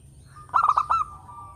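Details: Melodious local Zebra dove used as a lure for other birds: a brisk stuttered series of five clipped coos within half a second, trailing into a thin sustained tone.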